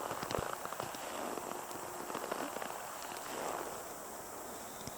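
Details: Winter outdoors in Edmonton: scattered patter and crackle like rain over a faint rumble, with no animal voices.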